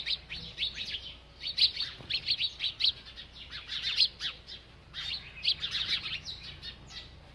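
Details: A bird chirping while it eats: dense, rapid bursts of short, high chirps in clusters, with brief pauses between runs and a faint low hum beneath.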